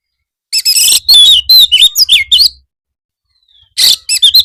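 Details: White-rumped shama song meant as training material for birds in the afternoon: a dense burst of harsh chattering notes and bright descending whistles, a pause of about a second, then another short varied phrase.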